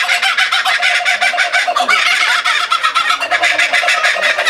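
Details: Captive laughing kookaburra at Higashiyama Zoo in a loud, rapid laughing chorus: harsh, pulsed, cackling notes stuttering continuously with rhythmic swells in volume.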